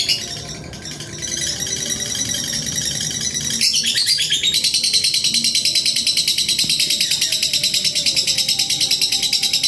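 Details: Long-duration lovebird master recording in the ngekek style, used to train other birds: a rapid, pulsing, high chattering trill that carries on unbroken and grows louder and denser after about four seconds.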